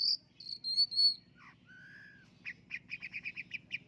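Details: Champion contest long-tailed shrike sings high whistled notes, then a lower drawn-out slurred whistle, ending in a fast run of about nine sharp, clipped chips at a steady rate.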